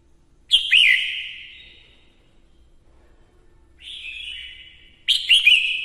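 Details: Singing female red-whiskered bulbul stimulating males: a loud warbled whistle that fades slowly, a softer steady whistle, then another bright twisting phrase, all clear and high-pitched.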